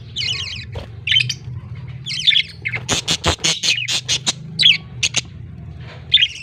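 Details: Young budgerigar chicks calling while fed by the male, October 18, 2023: rasping, buzzy begging squawks, then a quick run of sharp clicking pulses mid-clip, with a constant low hum underneath.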